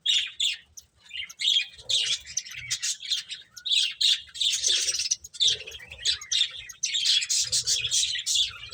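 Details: Finches feeding, their chirps coming in quick, repeated high bursts, one after another, from several birds at once.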